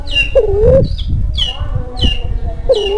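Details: Breeding Kelantan spotted dove, a call used to set silent doves calling and to lure birds; two soft, dipping coos among loud, repeated high chirps from other birds and low background noise.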